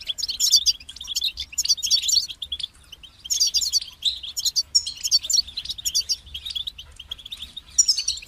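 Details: A goldfinch sings several bursts of tinkling, high-pitched twittering mixed with sharp metallic notes. The phrases start and stop, with short quiet breaks between them.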